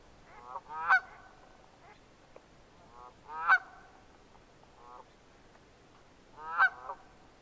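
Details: Red-breasted merganser giving loud, nasal, harmonic calls, each a short rising burst, three main calls about every three seconds with softer shorter notes between them, over a quiet background.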